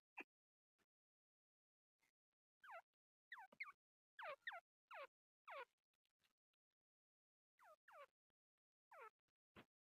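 A female grey francolin gives short, harsh, downward-sliding notes, singly and in quick pairs, spaced over several seconds against a quiet background.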